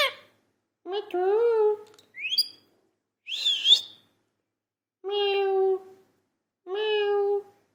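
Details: Parrot talking: a voice-like syllable, a rising whistle, a harsh buzzy squawk, then two steady, evenly spaced harmonic notes.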